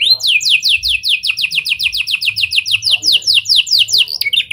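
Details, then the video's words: Canary singing in a style borrowed from lovebird and prinia phrases, used as a lure to set other canaries singing long: a fast, even trill of descending sweeps, about two per second, with a faint low hum beneath. "Kenari Gacor Cengkok Lovebird & Prenjak! Ampuh Buat Pancingan Kenari Lain Agar Gacor Panjang"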